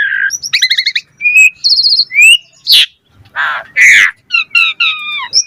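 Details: Asian pied starling singing a lively song full of fill phrases, meant as a lure for starlings: trilled harmonic notes, rising whistles, harsh rasping bursts, then a series of descending chirps.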